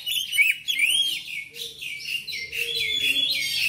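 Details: Song of a black magpie-robin meant to prompt household birds to sing: loud, sweet whistled slurs rising and falling, mixed with scratchy trills, steady through the short stretch.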